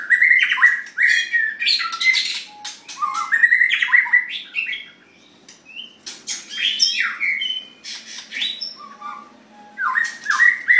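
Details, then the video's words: White-rumped shama, a bird kept for singing contests, delivering a rich varied song of loud slurred whistles and rising-falling phrases, with harsh chattering bursts in between and a short pause near the middle. "White Rumped Shama"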